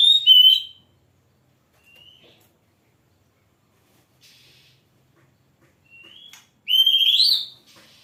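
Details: Oriental magpie-robin singing vigorously: a loud, rich whistled phrase opens, then a few faint short notes and quiet gaps, and a strong rising, slurred whistled burst near the end.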